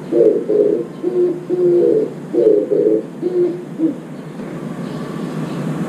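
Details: Oriental turtle dove singing at a window feeder, drinking water there: low hoarse cooing phrases of paired notes repeated steadily for about four seconds, then fading into background hum.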